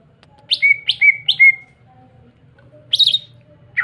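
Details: Greater green leafbird singing as bait to make other leafbirds sing: three quick rising-then-level whistled notes, a pause, then a buzzy rasping burst and a short final note, over a low hum.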